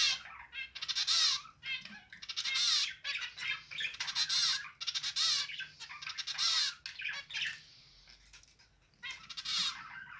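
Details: Caged pet zebra finch singing steadily, part of a pair with three fledglings out of the nest for three days; dense run of nasal, buzzy, harmonic-rich notes delivered in rapid bursts, barely pausing over ten seconds.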